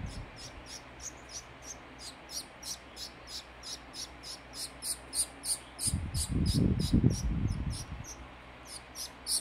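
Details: Fawn society finch chick being hand-fed, giving rapid high-pitched begging chirps repeated about three times a second throughout, with a loud low rumbling noise in the middle.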